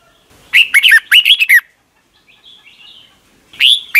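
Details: Red-whiskered bulbul song played for young caged birds in Thailand to copy, a rapid burst of warbled, slurred notes near the start followed by a pause, a faint twitter, then another phrase opening at the end.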